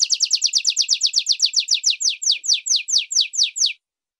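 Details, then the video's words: Canary training song for young and adult birds: fast, steady series of downward-sweeping chirps that slows slightly, then stops abruptly, leaving silence. "Canto Longo Para Ensinar Canários do Reino e Belgas em Treinamento - Filhotes e Adultos"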